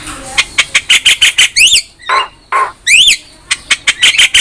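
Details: Javan myna in a master recording for training songbirds: loud, harsh squawking notes repeated in quick bursts, with a few rising, twanging sweeps between them and brief gaps.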